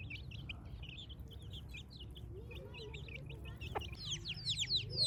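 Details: Village chicks on a morning give rapid high downslurred peeps, several per second, steady at first and then louder, sharper and more sweeping near the end over low rumbling background noise.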